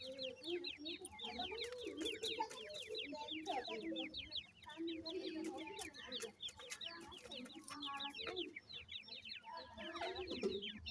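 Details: Many grey francolin chicks in their housing keep up continuous thin, falling peeps. Lower rolling murmurs and soft clucks from the group run throughout.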